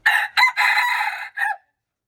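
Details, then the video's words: Close, loud junglefowl crow from March 19, 2025: a clipped opening note, a hoarse sustained middle and a brief falling tail, all within about one and a half seconds. "Jungle fowl, qaib dib txuam txoov qaib qus"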